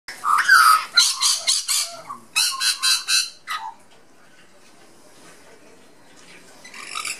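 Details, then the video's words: A young Australian magpie chick in a back garden, chatting with lorikeets and blue-faced honeyeaters, gives harsh, raspy squawks, about four a second, for three seconds, then a quiet pause and one fainter rasp. "Magpie chick"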